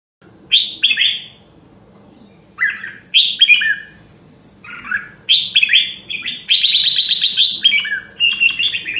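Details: Red-whiskered bulbul of the rare Nam Đông, Huế line, sung for voice training: short, bright, warbled phrases rising and falling, separated by brief pauses, growing into a longer rippling run near the end, over a faint low hum.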